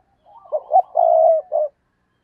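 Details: Lure spotted dove cooing for wild doves: one phrase of low, husky coos, building from soft notes through two accented coos to a long held note and a short ending coo, in silence.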